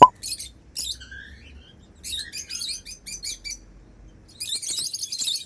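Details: Happy African lovebirds flying freely, soft high chittering in short bursts with a few thin whistled notes, ending in a dense patch of fine high twittering.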